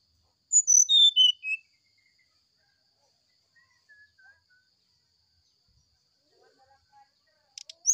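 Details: Brown-chested jungle flycatcher morning song: a quick descending series of whistled notes, followed by long near-silence with faint distant notes and a short high burst at the end.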